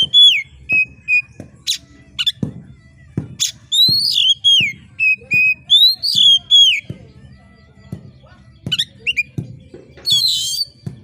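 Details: Oriental magpie-robin screeching sharply to raise the fighting spirit of competition birds: a fast, varied stream of whistled slurs and downslurred notes, with harsh buzzy screeches near the end and faint ticking behind.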